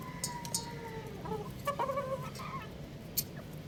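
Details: Young rooster playing on a roof gives a long, thin whistled note that slides slightly downward, followed by a burst of short, clipped chirps and soft clucks, with sharp tapping clicks scattered throughout.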